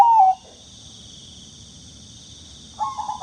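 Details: Bangkok-type zebra dove, used to stimulate doves that rarely sing. One loud, short, falling cooing note, then a gap and a softer, wavering coo at the end, over a constant high hissing drone.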